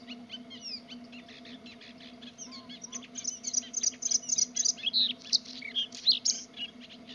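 A Bluethroat sings a fast, varied run of high ringing, buzzy and chinking notes, building in strength, over a steady low hum.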